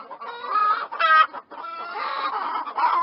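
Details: Chickens cluck in short, nasal, harmonic bursts, with one louder squawk rising briefly above a steady background of overlapping hen chatter.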